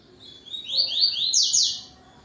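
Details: Yellow-billed double-collared seedeater singing the tui tui song style at dusk, 17:31 on 12 November 2025, singing to another bird: a quick run of bright, buzzy, slurred notes climbing higher and louder over about a second.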